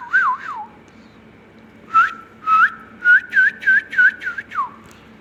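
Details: Talking ringneck parrot producing whistled phrases. Two wavy, warbling whistles come first, then after a gap about seven short, clipped whistled notes at an even pitch, each with a faint hissy edge, ending in a falling slur.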